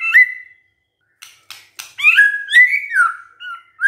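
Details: White-rumped shama giving a clear downslurred whistle, a pause, and a few dry clicks, then a flowing series of mellow whistled notes that rise and fall.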